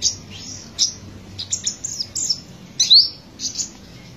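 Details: Black-breasted olive-backed sunbird, race buruensis from Buru, South Maluku, in lively trotolan song: separate high chirps and short buzzy twitters, then a loud clear rising whistle and a couple of closing phrases.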